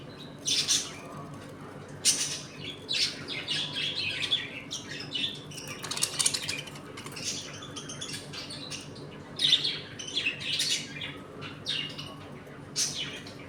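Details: Budgies in a home colony at feeding and play time make scattered chirps and scratchy notes mixed with rustling and clicking, possibly wings or feeding sounds, over a low room hum.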